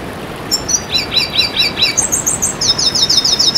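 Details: Red siskin song: a short high note, then five quick downslurred twittering notes, then a brisk run of very high chips repeated rapidly to the end, with faint background hiss.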